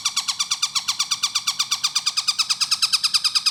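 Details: Fast, tight-paced gacor song of a long-tailed shrike, used to train other birds: a relentless chain of buzzy, scratchy notes, roughly three each second, holding an even rhythm throughout.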